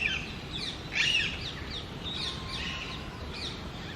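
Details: Short, loud, scratchy squawks from a female Alexandrine parakeet, the pahari tota, in an almond treetop: one strong burst near the start and fainter repeated rasps after, over a low rumbling background.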